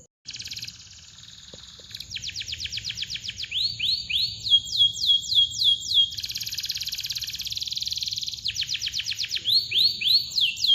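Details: Canary song for coaxing silent birds to sing: long, dense rolling chirps, rapid repeated downward-sweeping notes alternating with sliding whistles and fast trills, bright and high-pitched throughout.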